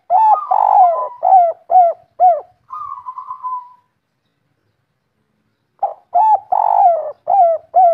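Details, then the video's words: Local spotted dove singing the 'kuk 3' style: a burst of deep, hollow coos, some drawn out and falling, then a short humming note and a pause of about two seconds before another run of repeated coos. "Derkuku kuk 3 lokal gacor ngamuk bikin ribut suara empuk langka"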